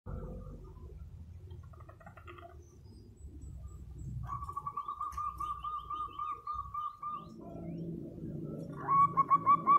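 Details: Local zebra dove calling loudly and prompting other doves to answer: a long even run of rapid mellow cooing pulses midway, then a short louder burst of notes at the end, over steady low rumbling background noise.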